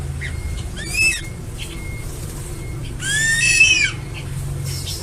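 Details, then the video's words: Two high, arching whistled calls from a crested eagle, the second longer and louder, separated by faint short thin notes, against a persistent low droning background. "Som de águia com crista"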